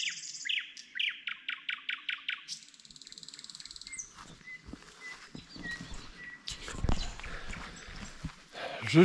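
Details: Nightingale song at night in Gaujiena park, Latvia: a rapid series of about ten descending chirps, then a buzzy trill and a long held whistle, followed by rustling and footsteps on a path.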